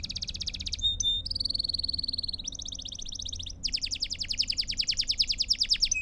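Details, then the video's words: Belgian canary song for training young birds: rapid trills at steady high pitch, switching between rolls of fast repeated notes, a clear whistled stretch, then a long rising buzzy trill. "Sons Para Canário Belga em Sessão Contínua"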